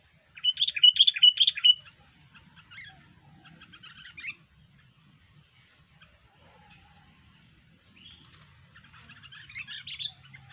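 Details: Sooty-headed bulbul singing energetically, opening with a loud burst of quick whistled notes, followed by softer scattered chirps and another chattering phrase at the end, with low background hum.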